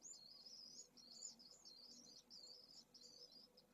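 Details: Pallid swift chick of a second clutch, only hours old, begging vigorously to be fed at its first feedings, recorded at a nest in Jerez de la Frontera, Spain, in 2022. It gives a continuous thin, high, wavering twitter in quick overlapping bursts over a low steady hum.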